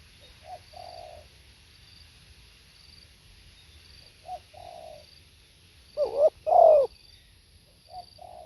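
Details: Spotted dove song, mostly quiet: soft short coos come first, then one loud coo pair near the end, a brief note followed by a long, swelling coo.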